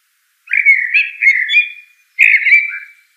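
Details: Common blackbird delivering a long, mellow, fluting warble, then a second shorter phrase after a short gap, with faint high squeaky notes above; no other sounds.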